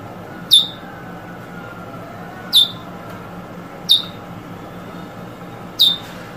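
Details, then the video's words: Eurasian Bullfinch recorded in 2022, from a recording of drawl and weet song types: four short, sharp, downslurred whistled notes spaced one to two seconds apart over a faint steady hum. "Bullfinch Drawl & Weet Drawl"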